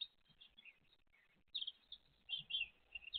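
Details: Great tit chicks, with their mother present, 29 April 2023: thin, high-pitched, buzzy begging calls in three short, excited bursts about a second apart, with near silence between them.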